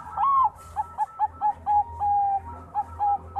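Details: Bangkok-type zebra dove, a contest winner, singing: an opening rising-falling coo, then a string of short whistled notes and one longer level note, rhythmically spaced, with a soft low hum behind.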